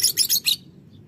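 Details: Violet-green colour form lovebird calling in the morning: four quick, shrill, harsh chirps in rapid succession over about half a second, then quiet with a faint low background hum.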